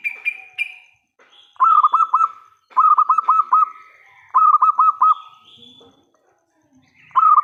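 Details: Local zebra dove singing vigorously in a big voice, used as a lure to make other doves answer: several bursts of rapid, rolling, pulsed coos, each about a second long, with thin high whistles at the start and between phrases.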